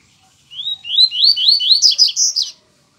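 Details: Yellow-bellied seedeater song, loud and close: several swelling upslurred whistles followed by a quick, bright sequence of high chirps lasting about two seconds.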